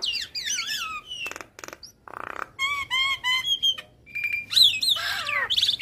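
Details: Javan myna masteran song for training other mynas, featuring wavering slurred whistles, a buzzy rasp, repeated patterned whistle phrases and sweeping squeaks.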